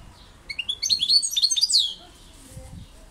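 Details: A European goldfinch delivers a short, lively phrase of about one and a half seconds: rising chirps quicken into a run of tinkling, downslurred twitters, then quiet low rumble.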